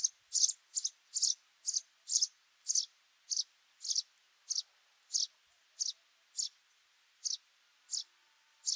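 A Sudan golden sparrow repeats short, bright, high chirps about every half second in a steady, even series, with nothing else heard.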